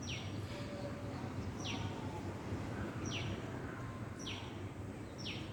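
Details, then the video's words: Hummingbird giving five thin, high squeaks, each sliding sharply downward, about one every second and a quarter, over a steady low rumble of background noise. "Did you listen to the sound of hummingbirds"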